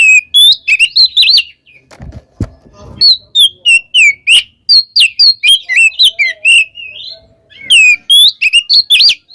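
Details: Oriental magpie-robin (kacer) calling out to a rival in the 'kembar ngeplong' style: fast, continuous run of sharp whistles, chirps and squawky notes, about three per second, briefly interrupted by a few low knocks.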